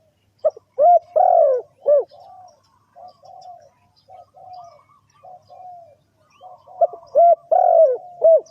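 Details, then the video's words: Spotted dove call played to lure birds into a trap: loud low cooing phrases, each a few short clipped notes building to a longer burry coo, repeated twice, with softer quieter coos running in between. "Suara Tekukur"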